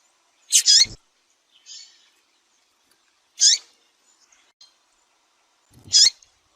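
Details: Female Double-collared seedeater cheeping and calling insistently to arouse males in Brazil: three loud, high, clipped chirps roughly two and a half seconds apart, separated by faint buzzy notes in a quiet setting.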